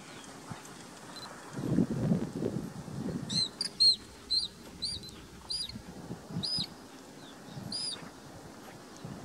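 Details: A juvenile whiskered tern in the Ebro Delta, Spain, gives thin, high peeping calls, short and repeated about every half second to second, over low rumbling wind or handling noise.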